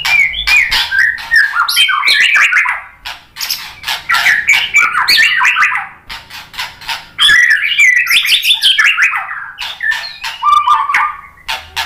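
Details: White-rumped shama (murai batu) singing a song used to provoke other shamas into singing: loud, varied, rapid phrases of whistled notes, chattering trills and sharp clicking notes, with brief pauses near three and six seconds before bursting out again.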